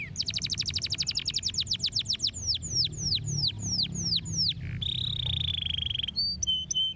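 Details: Canary song for stimulating birds: a long rapid trill of downward sweeps slowing to spaced whistled notes, then a buzzy sustained roll and a few clipped high notes.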